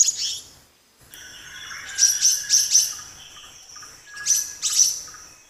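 Black-naped monarch giving short bursts of high, sharp whistled notes, several quick notes in a run, with a thin steady insect-like hiss behind.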